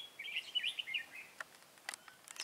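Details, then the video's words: Red-whiskered bulbul kept as a trapping decoy, 23 August 2018: a quick run of rich, slurred whistled notes over about one second, followed by sharp clicks and brief high chirps. "Bẫy chào mào Mồi Cao phong ra trận bắt bổi"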